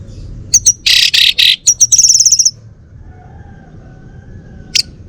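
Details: Kept male Bali orange-headed thrush, North Bali near Singaraja, pouring out a rapid jumble of harsh buzzy notes and high twittering trills for about two seconds, followed by quiet with one distant high chip.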